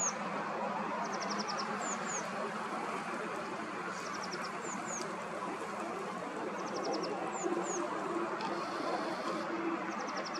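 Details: A Eurasian blue tit by a river early in the morning, 6 April 2023, gives thin, very high notes and short fast trills, repeated every second or two over a steady rushing background of water or traffic.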